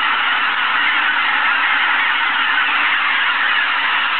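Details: Geese at Izunuma at 6 in the morning: a huge flock calling together in a steady, unbroken roar of overlapping honks, with no single voice standing out and no pauses.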